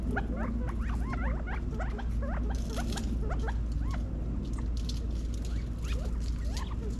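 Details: Feeding California quail in a Las Vegas, Nevada back yard in fall 2022 give dense overlapping chips and looping upswept notes, busiest in the first half, with constant low background hum.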